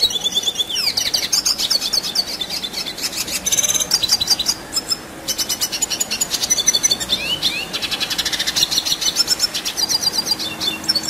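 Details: Energetic rolling song of a red siskin, long-duration material for training contest birds: continuous high chattering twitter of rapid clicks and slurred notes, one short lull near the middle, then the torrent resumes.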